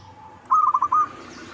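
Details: Zebra dove, perkutut lokal, cooing as a lure to provoke answering birds: one short phrase of rapid bubbling notes ending in a brief held coo over a low background hum.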